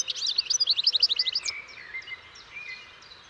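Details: European goldfinch pouring out a rapid, rhythmic run of about a dozen bright, tinkling notes, followed by softer, scattered thin whistles as the phrase fades.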